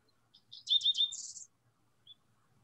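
Dickcissel song: a few sharp high chips, then a quick stuttered run of bright notes ending in a dry, buzzy phrase. One more faint chip follows.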